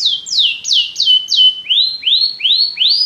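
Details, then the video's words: Canary song in two parts: five clear falling whistles followed by four rising, upswept notes, each delivered about three times a second, loud and clean. "Canary bird | o canário canta muito bem"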